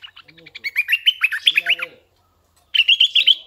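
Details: A caged decoy red-eyed bulbul pours out a fast run of liquid, chirping notes climbing slightly in pitch, then pauses before a shorter bubbly burst; faint low chatter underneath.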